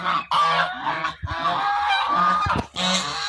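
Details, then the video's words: Angry ducks with ducklings in Pakistan, calling loudly: harsh, nasal honking quacks in overlapping bursts with brief pauses, several birds at once, close and dominating. "Angry Ducks of Pakistan🦆with ducklings | duck hunting | Duck voice"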